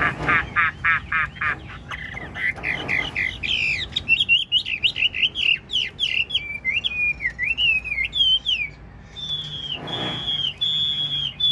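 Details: Caged Chinese hwamei singing at length, with rapid buzzy trills leading into loud warbled whistles that climb and dip, then a sustained high whistle.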